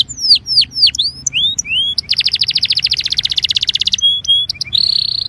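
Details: A Belgian canary sings to warm up other canaries, opening with bright swooping whistles, breaking into a long rapid buzzing trill, then clipped high notes and a final dense buzz.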